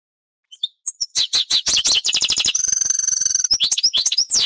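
A European goldfinch sings a fast, liquid twitter of high tinkling notes, breaking into a brief buzzy trill before more bright chirps.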